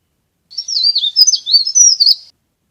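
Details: Leaf warbler calling, used as a lure for trapping. A lively high-pitched phrase of looping, slurred chirps about two seconds long, loud and clean, in an otherwise quiet recording.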